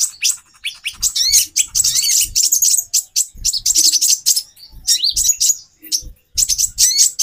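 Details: A female brown-throated sunbird, calling to arouse the male's mating drive, gives busy high chattering with repeated rising whistled notes, in phrases of a second or two, with faint low thumps between.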